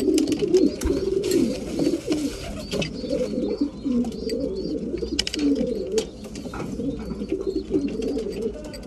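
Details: At mealtime a flock of breeding pigeons keeps up dense low cooing, several birds overlapping, with sharp pecking clicks above.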